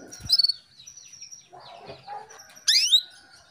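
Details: Female Atlantic canary calling to a male to stimulate him to sing: thin high notes and a short trill open, then quieter chirps, and a loud sweeping burst of descending chirped notes near the end.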